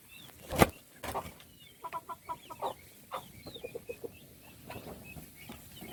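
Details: Little chickens at feeding time, with a loud knock at the start, then faint high peeps sliding downward and a run of short, lower clucking pulses.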